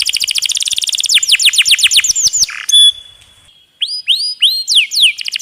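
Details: Canary in a masteran recording, delivering a fast rolling trill of downward-sweeping notes that slows and spreads, a brief rough burst and a thin held whistle, then spaced looping whistled phrases.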